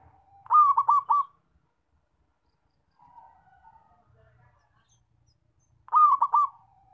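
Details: Zebra dove with a loud call used as a lure for trapping: two bursts of three or four rapid, rolling cooing notes, about five seconds apart, with softer trailing coos between them.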